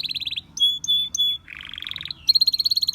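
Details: Belgian canary singing, its song drawing other canaries to sing: a fast high trill, then sharp whistled notes repeated three times, a lower buzzy rolling tour, and a rapid bright trill to finish.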